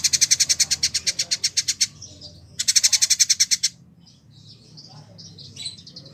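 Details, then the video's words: Village indigobird tutor bird, a year in care, Bandung, West Java, Indonesia: two fast buzzy high rattles, the first about two seconds, the second shorter, followed by soft scattered twittering notes. "Burung Masteran : Village Indigo Gacor"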